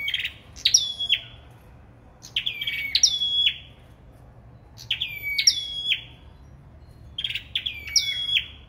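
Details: Singing in a contest, a sâu đầu đỏ bird repeats high phrases: a clipped upward note, then sweet whistles that drop and flatten out. Pairs of phrases return about every two and a half seconds.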